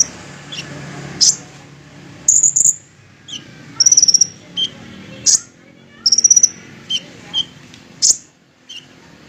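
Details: Olive-backed sunbird, a fighter-type bird, giving thin, very high sharp chips and short rattling trills in bursts about every second, separated by brief quiet gaps.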